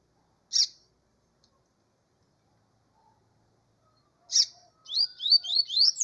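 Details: Two isolated sharp high notes from a double-collared seedeater, separated by silence, then a rapid series of rising whistled notes starting the song.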